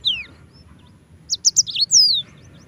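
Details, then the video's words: Yellow-fronted canary song used as a tutor for white-eyes: a single falling whistle, a pause, then four quick bright chirps and a long descending whistled slur over faint low hum. "Masteran Mozambik Gacor - REAL SUARA JERNIH"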